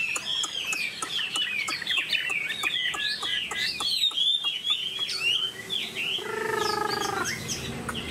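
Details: Kept Chinese hwamei singing: a fast, varied stream of loud slurred whistles and chirps with abrupt pitch jumps, followed near the end by a lower, nasal, drawn-out harmonic call lasting about a second.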